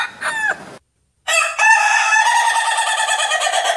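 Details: Farm roosters crowing: a short, rising crow cut off by a silent gap, then a loud, long, steady harmonic crow with a slightly rough, wavering tone.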